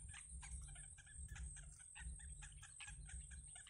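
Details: Yellow bittern chicks in the nest during feeding, uttering many short scratchy squeaks in quick succession, with heavy low rumbling pulses and a steady high whine underneath.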